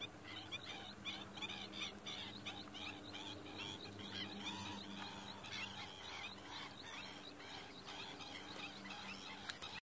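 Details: An oriental pratincole feigning injury to distract a predator from its young gives harsh, chattering calls in quick repeated bursts, several each second, over a steady low hum.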